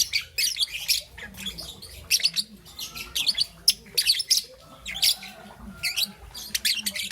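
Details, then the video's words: Morning calls of a young green and yellow peach-faced lovebird: clusters of sharp, squeaky chirps spaced about a second apart, over a low background murmur. "Relaxation of Lovebird's melodious chirping sound - Young Peach Face Lovebird - Green and Yellow"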